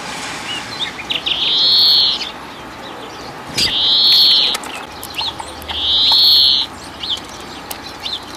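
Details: European greenfinch giving three drawn-out, nasal wheezing notes, each about a second long and spaced roughly two seconds apart, with faint short chirps and a brief thump between them.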